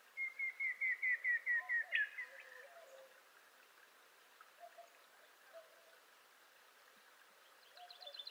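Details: Montezuma quail, a secretive quail of Mexico and the nearby United States, giving its assembly or territorial call: nine whistled notes sliding slightly downward, about four each second. Softer bird calls follow, and a buzzy trill comes at the end.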